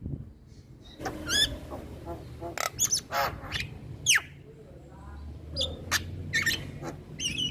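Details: Song of a male Javan myna: scattered harsh broadband bursts and clicking notes with a few sliding whistles, loose and uneven in rhythm, over a low background rumble.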